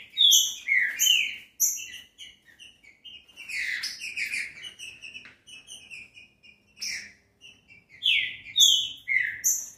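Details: Song of a green-winged saltator, meant to spur caged birds into singing. Bright whistled notes slide up and down in clustered phrases, and thinner high notes are mixed in, with brief silences between the bursts.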